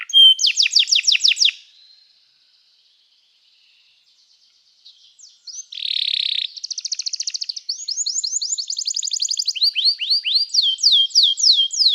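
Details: Canary song used for training, with a loud burst of rapid buzzy trills, a pause of near silence, then a dense harsh rattle followed by quick repeated high chirps and sweeping notes.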